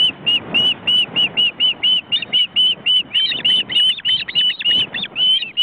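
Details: Ospreys with their large chicks in a nest in a forest reserve in Estonia. A fast, almost continuous chain of shrill whistled notes, overlapping callers at times, above a low rumbling background.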